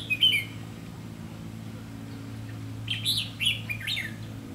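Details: Red-whiskered bulbul recorded during trapping with a decoy bird on 30 May 2016: a short warbled, chirpy phrase opens, then after a pause a cluster of bright, squawky whistled notes follows, over a steady low hum.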